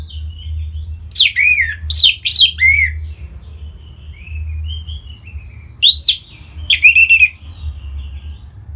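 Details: Orange-headed thrush song meant to set other birds singing: clusters of loud, swooping, slurred notes with rich overtones, separated by soft thin whistles, and a later pair of strong rising and falling phrases over a low hum.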